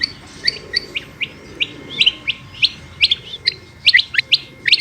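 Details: Calling female Rain Quail, known locally as batair: bright, clipped double and triple notes, sharply downslurred, repeated in an uneven run of about one burst per second. A faint steady tone sits in the background.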